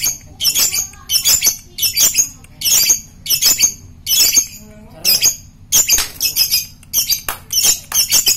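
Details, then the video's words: Fighter lovebird used as a lure to make other lovebirds chatter, calling in rapid, harsh, high-pitched bursts that repeat steadily, each a scratchy cluster of clipped notes. "Pancingan suwara Lovebird ngetiik fighter bikin ngekek"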